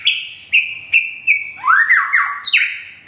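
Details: Caged white-rumped shama in Thung Song, Thailand, with feathers almost fully back after a moult. A run of sharp, evenly spaced notes gives way to rapid, slurred whistles that drop and rise.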